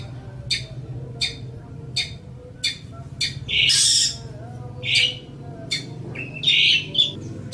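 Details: Long-tailed shrike, called cendet or pentet, in a master song for training songbirds: thin high ticks repeated evenly, broken by loud harsh buzzy rasps. A low background hum runs beneath.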